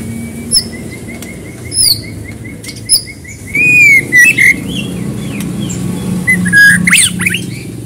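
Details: White-rumped shama in lively, continuous song used as a lure to prompt another bird to sing: a steady string of short, even whistled notes, then swooping rising and falling whistles with sharp high chirps and ticks over a low background hum.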